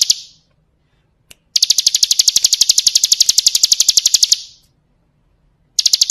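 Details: Bar-winged prinia, 'ciblek kristal' tutor recording for training birds: rapid, evenly spaced shrill chips form a trill lasting nearly three seconds, framed by quiet gaps and brief fragments.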